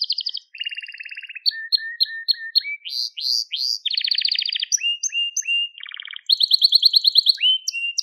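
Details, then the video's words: Crested Gloster canary singing varied tours, a training recording for young canaries: high notes, a low rattling trill, short whistles, rising buzzy phrases, a chattering trill and a fast high trill near the end. "Muhteşem Tepeli Gloster Kanarya Ötüşü | Gloster Kanarya Sesi"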